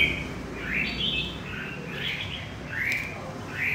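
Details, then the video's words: Red-whiskered bulbul, wild-caught in central Vietnam, sings a few short warbling phrases, each a cheerful upward slur, spaced about a second apart, against a quiet hiss. "Chim chào mào bổi miền trung"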